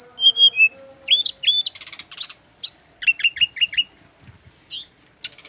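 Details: A male brown-chested jungle flycatcher from Bali sings descending whistles and short stuttered phrases, then a run of four or five repeated hooked notes, then scattered chips.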